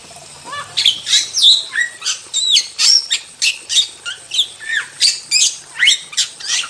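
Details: Wild jalak, or starling, in lively masteran song: short bursts roughly three per second of squeaky whistles, downward-swooping notes and raspy chatter, continuous and high-pitched against a quiet background.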